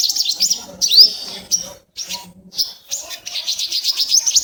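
Purple Sunbird giving rapid, high, thin chips and short sweeping notes in quick bursts, with a brief pause mid-way; faint low background sounds.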